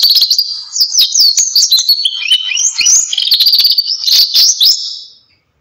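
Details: High, rapid twittering song of a Belgian canary, a tumbling run of chirps and short whistled notes that fades out at the end.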